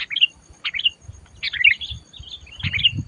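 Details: Sooty-headed bulbul being lured for trapping, giving separate short chirps that sweep up and then slide down, spaced about half a second apart, with soft low rumbling underneath.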